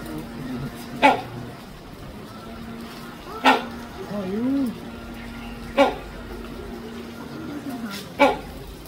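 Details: Great hornbill (Great Indian Hornbill) kept at Taipei Zoo, calling four times with abrupt, hoarse, bark-like honks roughly every two and a half seconds; a softer wavering low sound and constant background hum fill the gaps.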